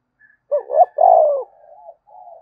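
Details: Single 'thúc bổi' phrase from a spotted dove: two quick notes, a loud sustained coo, then a quieter trailing murmur.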